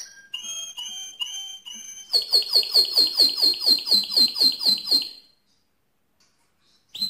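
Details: Mosaic canary singing loudly: a few clear whistled notes, then a fast series of sweeping, rhythmic chirps for about three seconds. The song ends abruptly, followed by quiet and a brief final note.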